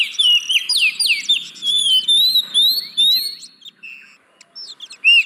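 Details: Oriental magpie-robin singing as a lure for caged birds reluctant to sing: loud sweeping whistles and swooping notes in quick succession, a short quiet gap, then a final rising whistle.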